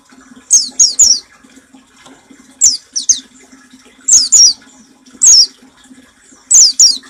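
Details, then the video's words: Oriental white-eye training song for caged birds, in the rapid 'nembak' style: high, thin, downslurred chirps in quick bursts of two or three, repeated about every second, over a steady low electrical hum. "Suara burung masteran pleci nembak paling ampuh"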